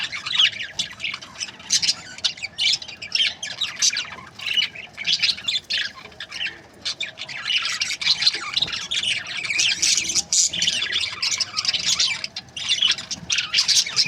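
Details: A group of budgerigar breeding pairs keeping up steady, overlapping chatter of raspy chirps, squeaks and squawks without pause, the chorus rising and falling in loudness.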